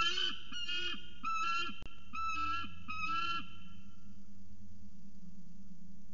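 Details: Peregrine falcon at CSU Orange, 17 February 2019, giving a short run of harsh, grating calls, roughly one per second, that stop after about three and a half seconds and leave a faint low hum and a single click.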